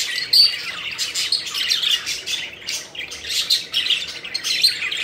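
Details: Pet budgies playing and flying, chattering continuously with dense, high, scratchy chirps and warbles that swell and fade in waves.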